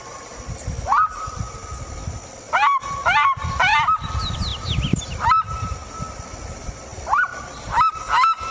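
Loud, yelping seriema notes: sharp upslurs that break into a held, nasal tone, given in bursts every second or so over a low rumble.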